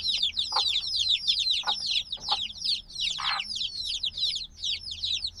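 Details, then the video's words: A noisy group of black chicks, hatched only a few days before, produce a continuous chorus of shrill falling peeps; lower scratchy bursts sound intermittently beneath, captured as a binaural field recording. "Baby Chicks Sounds - Baby Chicken Chirping Noises"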